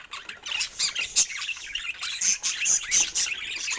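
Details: A budgerigar warbles and chirps continuously, with rapid scratchy notes, short whistled squeaks and a few louder squawks rising and falling in quick succession.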